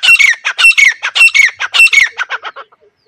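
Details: Grey francolin call used as a lure for hunting: loud, rasping phrases with a clear whistled element, repeated rapidly and evenly, trailing off into quieter notes near the end.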